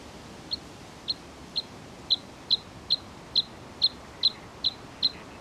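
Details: Opening of Bluethroat song: single sharp high notes repeated roughly twice a second, growing slightly louder and quicker, a dozen in all, over soft steady hiss.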